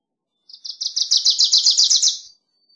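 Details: Wilson's warbler delivers a rattling song of about fifteen quick high notes that swell in volume and speed, then trail off softly after nearly two seconds.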